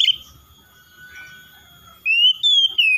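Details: Oriental magpie-robin song: after a short high chirp and a soft steady hum, three clear whistled notes follow quickly, the middle one sliding downward.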